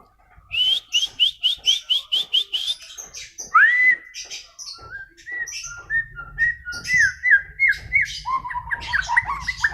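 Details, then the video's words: White-rumped shama singing: a run of about ten quick, identical bright whistles, then a swooping rising note and a long series of varied warbled and twittering whistles, rich and melodious throughout. "Kicauan Murai Batu"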